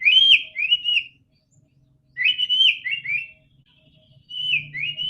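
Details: White-rumped shama song meant to make a quiet bird sing: three rich warbled whistle phrases separated by pauses, with a faint low hum underneath.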